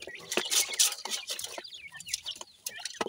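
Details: Grey francolin chicks, dakhni teetar, feeding: bright downslurred peeps repeated about four times a second, with a loud hissing rustle near the start.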